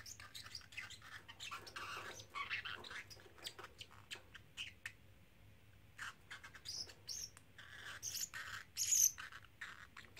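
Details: Pet parrotlet, a young male of three months, chattering his learned phrases; scattered high, scratchy chirps and clicks in bursts, a short lull, then a louder flurry of squeaky syllables near the end.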